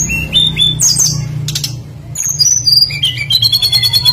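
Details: A blue flycatcher (tledekan) singing vigorously as a lure for other birds: high whistled notes and slurs, then a fast rattling run of repeated notes, with a constant low hum.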